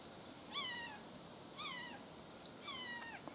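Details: Calling juvenile red-shouldered hawk in Bonita Springs, Florida swamp: three drawn-out, falling, slightly wavering screams about a second apart, faint against a loud hiss.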